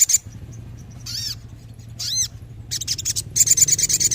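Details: Sooty-headed bulbul singing briskly, used as therapy for birds lacking spirit: two loud arched ringing notes, then a quick, scratchy, buzzing chatter that grows louder toward the end.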